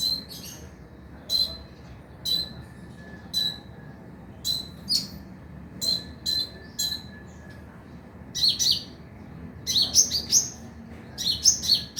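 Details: Kolibri ninja (Van Hasselt's sunbird) lure sound for night singing: high tinny chirps repeated about once a second, building into denser excited twittering bursts toward the end; soft background hum.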